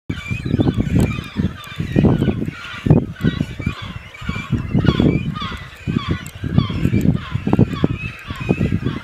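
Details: Nesting cormorant colony at Khetsuu Khad, Mongolia: deep, guttural croaks and grunts from many birds overlap in a steady, rough din, with bursts of louder calling every second or so.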